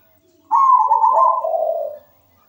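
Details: A single coo phrase from a local zebra dove in vigorous song, a recording used to coax other doves to sing: a soft, steady mid-pitched coo that splits into a lower rolling tone, lasting about one and a half seconds, then silence.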